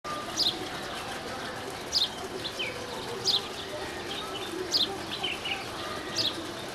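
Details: Female house sparrow at Valparai giving short, sharp high chirps, one roughly every one and a half seconds, each a quick descending note, with a few softer chirps between and steady background hiss.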